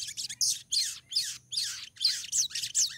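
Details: Female crimson sunbird in breeding condition, calling to draw a male: a fast, dense run of high, bright, downslurred twittering notes in bursts with short pauses, over a faint low hum.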